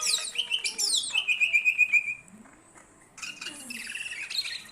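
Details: Greater green leafbird, recorded as a song master for training birds: sharp high notes, then a fast even trill of bright repeated notes, a short lull, and softer mixed chatter.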